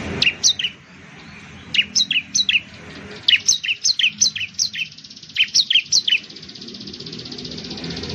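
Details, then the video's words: Loud, ringing song of the bar-winged prinia, called ciblek or perenjak jawa in Indonesia: repeated rapid runs of high, downslurred chirps, roughly three notes a second, in several phrases, followed by steady background hiss. "suara burung ciblek/ciblek sound"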